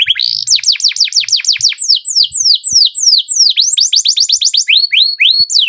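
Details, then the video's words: Singing canary in full roll, pouring out quick downslurred notes in changing phrases, some hooked and some sweeping, with faint low knocks behind. "BURUNG KENARI GACOR NGEROL PANJANG JITU"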